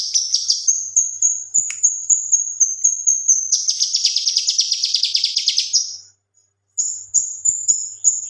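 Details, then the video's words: Male leafbird in the 'gacor tembakan' style used to train other songbirds: quick high whistles, then a long, dense, rattling trill that falls slightly in pitch, a pause, and more piercing whistles. "BURUNG KINOI/CUCAK KINOI JANTAN GACOR TEMBAKAN COCOK BUAT MASTERAN BURUNG"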